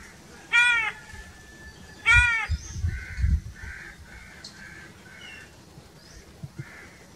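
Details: Two strained, nasal crow caws a second and a half apart, then a run of softer short calls mixed with low thumps and faint chirps.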